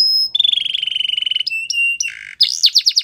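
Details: Belgian canary singing for training: a steady bubbling trill on one pitch, then short whistled notes, a buzzy burst and rapid scratchy rolling phrases.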